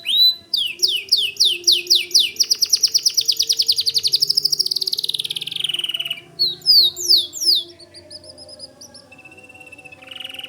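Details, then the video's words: Lively white canary song: quick rising chirps accelerating into a long rattling trill that gradually falls, then scattered sharp notes, a thin steady whistle and a fresh buzzy roll. "Suara Kicau Kenari Putih Gacor Dor"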